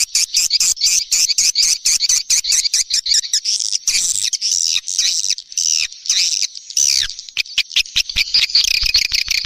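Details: Swiftlet lure call recording known as SP Neptunus, played to attract swiftlets in the rainy season: a steady train of sharp rapid clicks runs beneath dense, high twittering chirps that swell and fade in bursts.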